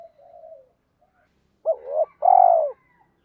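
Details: Quieter take of a spotted dove in the 'thổ pha' style calling females and provoking fights: a faint soft coo, a pause, then a hooked double note and a long burry, throbbing final coo.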